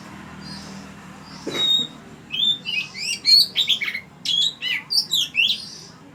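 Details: Oriental magpie-robin at Ban Wat Phra Koet, Falami, Phatthalung province, Thailand, delivering a loud, varied run of sharp whistles and quick chirps, about a dozen notes packed into four seconds after a quieter start with one brief thump.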